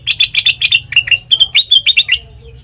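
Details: Sooty-headed bulbul song, used as a lure to prompt birds into singing during training: a quick run of about a dozen bright, slurred chirping notes, mostly mid-high pitched, delivered rapidly over two seconds, with faint low background hum.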